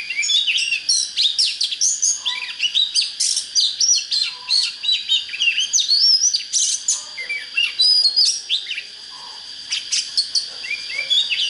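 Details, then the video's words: Oriental magpie-robin in full song to fire up birds for fighting: a loud, rapid, unbroken flow of varied whistles, sweeps and chirps with only a brief pause, set against a constant high-pitched hum. "Chích chòe than HÓT HAY"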